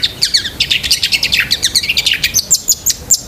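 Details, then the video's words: Long-tailed shrike singing busily, a rich fill-type song meant for training pet shrikes: dense high chattering chirps and twitters tumbling rapidly, followed by a string of sharp, even high notes near the end. "BURUNG CENDET GACOR ISIAN SEKEBUN"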